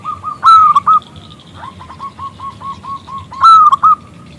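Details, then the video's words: Loud-voiced local zebra dove calling a male to answer. Two strong ringing phrases, each a long clear note and then a short one, frame a run of evenly spaced bubbling coos. "PERKUTUT lokal Gacor Suara BESAR Kristal Memanggil JANTAN ngajak BUNYI"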